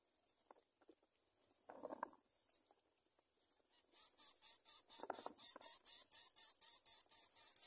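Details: Baby greater coucal at feeding time, its mother nearby with food: after scattered rustles, a steady train of hoarse, hissy pulses sets in, about two per second, with a softer thump midway.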